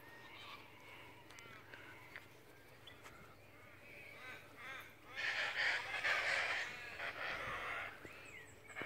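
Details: Cockatoo, one of two present alongside three rosellas and a kookaburra; softer scattered calls give way to a loud, harsh, rasping screech lasting about two seconds midway, then quieter calls and background bird chatter.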